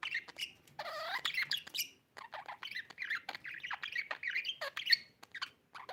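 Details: Pet budgerigar chattering indoors: a busy stream of warbling, squeaky chirps and short scratchy notes, with one longer rising and falling squawk near the start.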